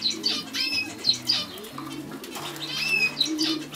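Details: Quieter European goldfinch song, with scattered thin whistles and short twittering notes spread through the clip against continuous soft instrumental music.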